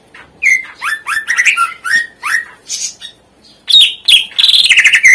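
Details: Greater green leafbird singing in a tutor song meant to stir lazy birds into song: a string of varied upslurred whistles and sharp chips, then a loud, dense burst of ringing notes.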